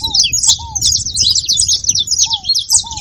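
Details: Saffron finch, brief loud high twittering made of packed, scratchy chirps. A few lower, falling whistled notes and a low background rumble are also heard.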